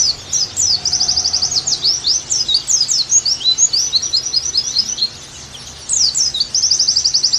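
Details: Pleci, the Oriental white-eye, singing for a tutor recording meant to revive its song: high buzzy trills of tightly packed notes alternate with looser slurred chirps, a brief lull, then another rapid trill.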